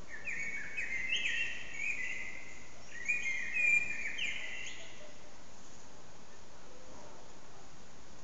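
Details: Blackbird singing loudly in an echoing backyard, recorded with an old HTC Desire phone: two back-to-back phrases of full, fluting whistles with high squeaky endings and trailing reverberation, then only the constant background hiss and hum.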